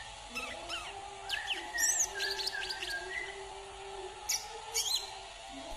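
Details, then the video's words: Brown-throated sunbird from Kalimantan singing: quick high chirps and thin whistled notes in scattered bursts, with brief sharp twitters near the end over a steady low hum. "KICAUAN KOLIBRI KELAPA KALIMANTAN"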